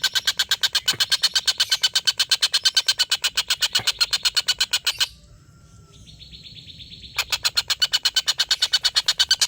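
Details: Collared kingfisher long laughing call, used as tutor audio for competition songbirds: a rapid harsh chatter for five seconds, a pause with a thin steady whistle, then the chatter resumes strongly.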